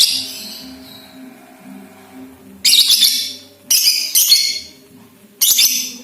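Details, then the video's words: Young lovebird (balibu) in a lure recording for other lovebirds: after a faint opening, four separate harsh, high, hissy squawking bursts, each about half a second to a second long. "LOVE BIRD BALIBU , PANCINGAN LABET BALIBU AGAR CEPAT GACOR DAN NGEKEK RAJIN BUNYI"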